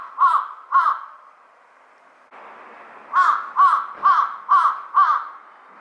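A large-billed crow gives loud, harsh caws, two at first, then a steady run of five more about half a second apart.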